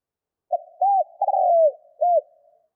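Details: Decoy spotted dove of the 'thúc' style, cooing to excite wild doves: a single soft, throaty phrase of a brief opening note, an arched coo, a drawn-out falling coo, then a closing arched note, with no other sounds.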